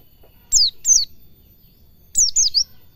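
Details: Training recording of a white-eye (pleci) in 'ngalas cingjuitan' style: clusters of two or three rapid, piercing downslurred whistles, a pause, then another bright group, with near silence between phrases.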